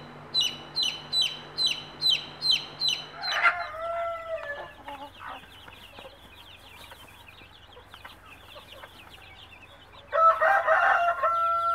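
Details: Mother native hen calling her chicks to food; high falling chick peeps give way to a hen's lower drawn note and soft clucks, then a loud harmonic hen call near the end.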